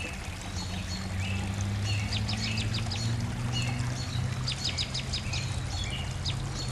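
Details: Several wild birds singing at sunset in spring, lively and excited: quick downward-slurred chirps in dense bursts, mostly between two and five seconds, mixed with short high whistles, over a steady low rumble throughout.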